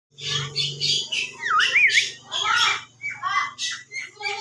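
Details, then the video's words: Javan myna giving a whistling call: harsh squawky bursts with a clear rising-falling whistled phrase near the middle, over a steady low hum. "Burung jalak kebo suara bersuit"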